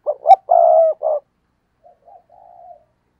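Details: Spotted dove used as a decoy, giving a stuttering 'cà lăm' coo meant to draw rivals: two short hiccuping notes, a long mellow coo and a clipped final note. Quieter answering coos come afterward.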